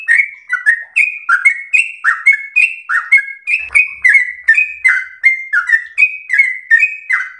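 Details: Sooty-headed bulbul, a captive bird kept at home, singing a slow rolling song for training other captive birds: loud, clear phrases of short falling whistled notes around two per second, steady and unbroken throughout.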